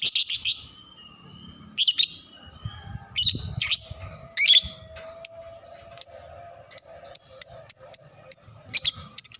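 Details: Lovebird song used as a master recording for young birds to learn from: a lively run of sharp, piercing chirps and squeaks, starting with clustered bursts, then evenly spaced short high notes, with low rumbling noise beneath.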